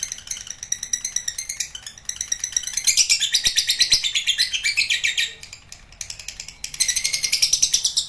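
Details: Lovebird giving a long trilling song, ngekek panjang, a dense, fast, high chatter of rapid squeaky notes that runs on for several seconds, fades briefly, then resumes, with a faint background hum.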